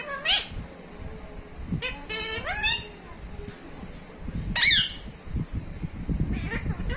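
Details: Talking pet parrot producing sharp squawks and harmonic, speech-like rising syllables, with people talking quietly in the background.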